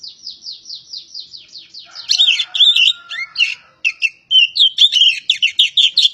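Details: Javan pied starling from Java opening with a rapid series of descending chirps, then breaking into loud scratchy chatter and whistled notes packed closely together.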